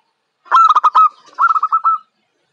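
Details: Zebra dove, a young local bird described as bold and contest-worthy, gives two loud bursts of quick pulsed coos, the first choppy, the second smoother and trailing off.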